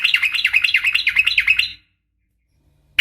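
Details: Rapid, rhythmic 'ropel' chattering from a female sooty-headed bulbul calling a male, almost two seconds of harsh repeated notes, then silence and a single sharp chirp.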